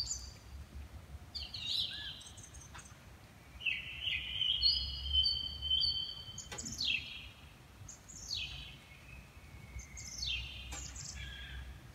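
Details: Dawn chorus in a garden at 4.30 am: several birds sing. Repeated quick downward-sweeping high notes and short whistled phrases overlap throughout against a faint low hum.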